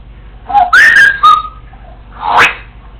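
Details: Female Congo African Grey parrot practicing household sounds while alone at home: a short whistle, a loud rising-then-level whistled phrase with a clipped second note, then a breathy rising squawk.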